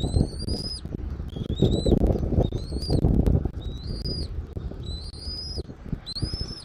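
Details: Eagle calling from its nest in Southwest Florida, January 13, 2024, early afternoon: a rapid series of about seven short, high, slightly rising whistles, fairly irregular in spacing, with constant rumbling wind below.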